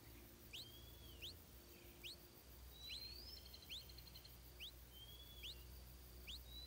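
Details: Hungry stripe-throated bulbul chick as its mother brings insect food: quick upswept squeaky chirps, about eight in a row at uneven intervals, over a faint drawn-out whistle and low steady background hum.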